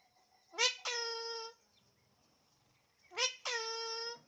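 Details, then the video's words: Alexandrine parakeet heard indoors with two loud harsh calls, each a short rising note that runs into a longer steady harmonic squawk lasting about half a second, separated by a pause of roughly two seconds. "Alexandrine parrot talking everything"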